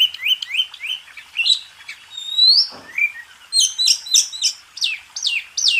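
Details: Master song of a White-rumped shama (kacer) for contest birds: three repeated upslurred whistles, a long rising whistle, then a rhythmic series of sharp descending chip notes.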